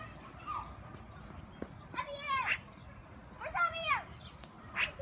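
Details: A Black-billed Magpie at a zoo gives two nasal, reedy calls, each a quick rising-and-falling cluster, about a second and a half apart, over a low outdoor hiss.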